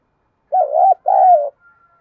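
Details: Female decoy spotted dove calling to lure males: one low two-part coo, a short wavering note, a brief break, then a longer, steady, slightly falling note. A faint thin tone follows; otherwise quiet.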